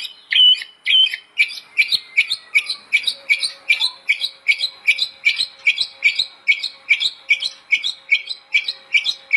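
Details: Master song of a white-rumped shama for training: one sharp, chipping phrase repeated steadily, about two to three times a second, for the whole stretch, with a faint, thin tone underneath.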